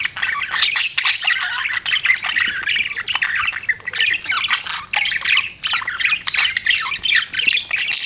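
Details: Several budgerigars keep up steady warbling chatter, grating and squeaky syllables packed in rapid bursts about every second, scarcely pausing.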